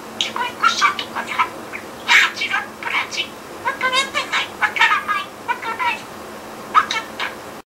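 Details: Talking budgerigar mixing its learned words into new made-up phrases: quick strings of raspy, voice-like syllables, some buzzy and rising, delivered in fast bursts with brief gaps, ending abruptly.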